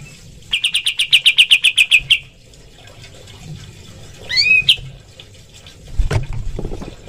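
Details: Training recording of a pied triller, known locally as kapas tembak: a fast burst of about fifteen sharp chirps, a pause, then a short rising whistled flourish, with faint splashing or knocking noises near the end.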